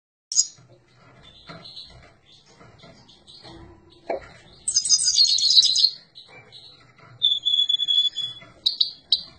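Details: Himalayan goldfinch singing in bright, twittering bursts: scattered high chips and short notes, then a dense buzzy trill near 4.7–6 s and a pure whistled note near 7 s. Soft clicks and low knocks sit underneath.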